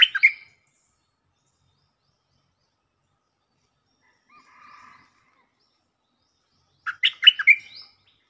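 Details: Stripe-throated bulbul used as a lure, singing vigorously: the tail of one bubbly phrase at the start, a faint low warble midway, then a full phrase of quick warbled notes near the end.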